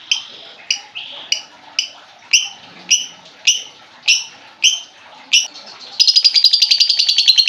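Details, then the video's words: Lovebird sounds used to coax a silent lovebird into singing: a series of sharp, high, rising chirps spaced about half a second apart, then a fast, buzzy chattering trill. "pancingan burung lovebird macet bunyi"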